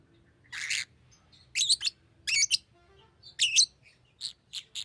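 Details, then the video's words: A singing pet lovebird gives rasping, high chirps in a loose series, some doubled, ending with three brief quick notes; faint low room hum behind. "Lovebird singing and chirping sounds"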